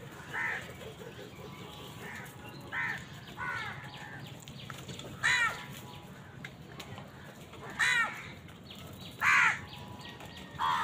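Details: Crows competing with wild birds for food call in hoarse, drawn-down caws, about seven spread irregularly over ten seconds, some nearer and louder, above a steady low background noise.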